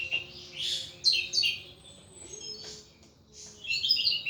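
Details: Caged thrush in ngeplong song, uneven bursts of high twittering and sharp whistled notes separated by short quiet gaps, with a faint low steady hum underneath.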